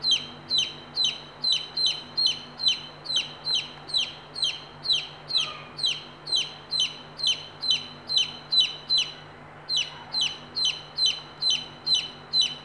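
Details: Native country chicken chicks beside a hen that calls her brood to food; a long, steady run of sharp high falling peeps, about two a second, with one brief pause, over low hum.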